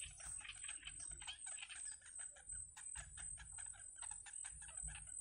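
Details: In a wild nest, yellow bittern chicks receiving food from their mother make fast repeated rasping chips, over two per second, uneven, amid a steady high electronic-like whine.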